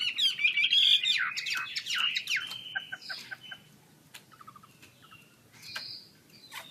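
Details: Singing Chinese hwamei with wings spread, starting with loud, rapid, rich whistled and slurred phrases, then breaking into sparse short notes, clicks and brief whistles with quieter gaps.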